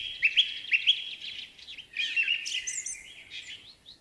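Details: Spring song of a song thrush: a short whistled note repeated rapidly several times, followed by a run of twittering, buzzy and chattering notes fading toward the end.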